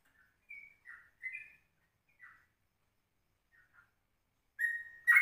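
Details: Yellow-vented bulbul in a 04:30 morning lure recording meant for tutoring the ropelan style. Scattered short, liquid notes are separated by silences, and a louder, fuller chattering phrase comes at the end.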